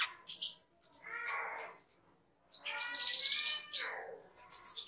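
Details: Cage-bird training master of a cucak keling: short high whistled chips, a raspy low chatter, then a long dense burst of squawks and slurred harmonic notes.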